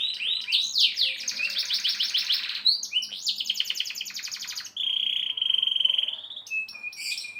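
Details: Long-performing Indonesian canary in durasi style, rapid buzzy trills giving way to a flat, sustained whistled note and then brief sharp chirps.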